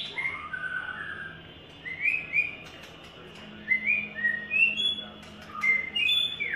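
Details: Third-molt white-rumped shama performing a song called "Imagine": a falling slurred whistle, then paired short rising whistles repeated in small groups with pauses, plus a final upslurred note; steady low hum behind.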